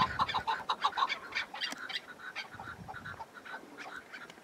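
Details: Wild chukar partridge on a cold, windy mountain in spring: a loose burst of harsh, clucking notes that starts loud and tapers off, with gusty background noise.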